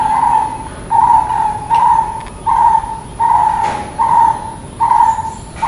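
A brown-headed barbet gives low, hollow notes, each about half a second long, repeated steadily more than once a second. A soft background hiss runs underneath.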